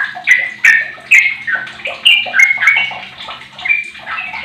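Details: Lure bird, a 15-year-old sooty-headed bulbul used to get other bulbuls singing, sings loud slurred whistles in quick phrases with sharp clicks at the start of several notes and a faint low hum behind.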